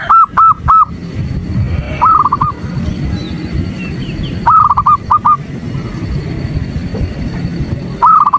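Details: Female zebra dove calling a male, used as morning therapy to stir male doves to sing. Short bursts of rapid, rolling cooing notes come roughly every two seconds, over a low rumbling background and a faint steady high whine.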